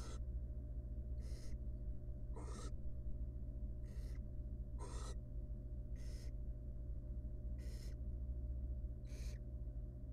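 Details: Wild barn owl nestling in a monitored nest box, fed by its mother after trying to eat a huge rodent by itself, gives harsh rasping hisses, about eight broad noisy bursts spaced roughly every 1.3 seconds over a steady low hum.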